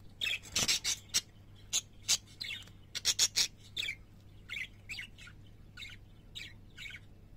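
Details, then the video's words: Parakeets singing: a lively run of short chirps and warbled notes, some bright and whistled, broken by sharp broadband clicks, with a steady low hum underneath. "Singing Parakeets"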